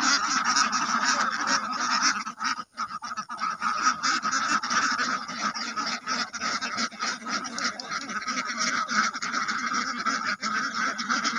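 Ducks quacking in a dense, continuous chorus of nasal honks overlapping without pause, several birds calling at once.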